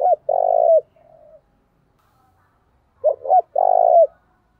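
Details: Decoy spotted dove calling energetically to provoke fights. Low, rich cooing phrases: a short two-note lead-in followed by a long, rolling, slightly falling coo. Two phrases about three seconds apart, with a faint softer coo between them. The background is quiet.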